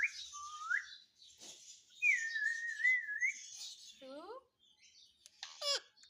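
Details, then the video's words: Parrot that talks, saying "mummy papa": a short rising whistle, a long wavering whistled note, then a falling harmonic squawk and a sharp descending speech-like syllable, with faint hiss behind. "Parrot Speaking Mummy Papa _ Talking Parrot _ Parrot Mummy Mummy Bolne Vala"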